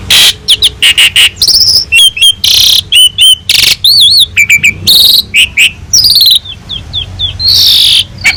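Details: Constantly singing Asian pied starling, a master recording full of mimicked phrases for training other birds: dense bursts of buzzy notes, wavering whistles, rattling trills and a run of short upslurred chirps.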